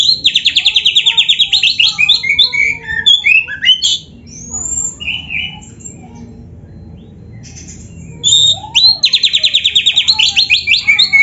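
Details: Energetic oriental magpie-robin song rich in canary imitation: dense high rolling trills, a run of jumbled whistles and chirps, a quieter pause, then the rapid trilling bursts return, with low hum behind.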